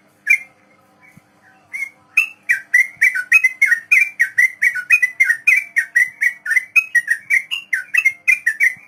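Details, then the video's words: Sooty-headed bulbul in long 'ropel panjang' song, played as a model for young captive birds to copy. A few scattered notes open, then a steady rapid rattle of clear, slightly falling whistles, roughly three to four each second. "Trucukan Ropel panjang || masteran buat burung trucuk pemula"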